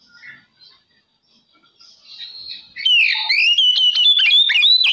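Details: Oriental magpie-robin song played to provoke other magpie-robins: faint scattered whistles, then from about three seconds a loud sweeping whistled phrase with quick sharp inserted notes.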